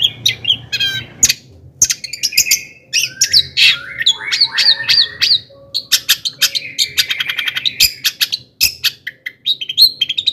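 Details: Long-tailed shrike in constant, emotional song used as a lure for other shrikes: a long, varied medley of slurred whistles, buzzes and harsh chatter with scattered sharp clicks.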